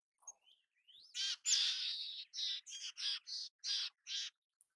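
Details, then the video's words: Mountain chickadee in natural habitat, fairly quiet: a rising slurred note, a long rough buzz, then a run of six or seven short, harsh buzzy notes at a steady pace. "Canção do Chickadee da montanha! Mountain Chickadee Sounds! Chamada do Chickadee da montanha!"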